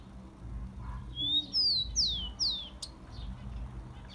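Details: Tico-tico (rufous-collared sparrow) song for heating up caged birds: a soft rising whistle leads into three strong downward-sweeping whistles, then a sharp click and faint chips.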